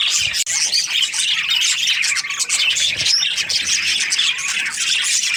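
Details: Budgerigars, breeding pairs of the Australian parrot, chattering together: a dense, continuous wash of high chirps and squeaky warbles from many birds at once, with a brief drop in the noise near the start.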